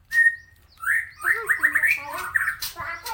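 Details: Harsh-voiced murai medan, a white-rumped shama, used for tutoring other cage birds: one long steady whistle, then a fast series of repeated rising notes and chattering phrases, with low background hum.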